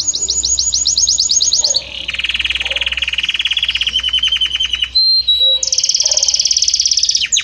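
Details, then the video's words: Belgian canary, one note evolving into another: fast high repeated notes, a lower pulsed trill, further rolls and a few sharp whistles, all loud and continuous. "Magnífico Como canta este Canário Belga!"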